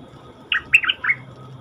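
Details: Caged, wild-caught cream-vented bulbul giving a brief, liquid song phrase of three rapid swooping notes, the second peaking highest, against a quiet background with faint low hum.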